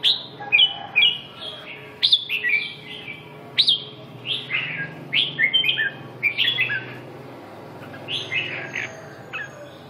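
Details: Red-whiskered bulbul, labelled with Vietnamese fancier terms "phong sơn, mí đỏ, rơm tê giác, siêu ché", singing bright, rich whistled phrases. Short rising-falling notes come in quick bursts about every half second, in a quiet indoor setting with faint low hum.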